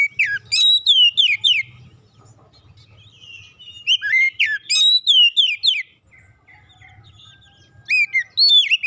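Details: Oriental magpie-robin, a kept bird, singing as therapy for a stressed bird: loud whistled downslurred notes in quick groups, with a soft low rumble beneath, a quiet gap, then fresh whistles at the end.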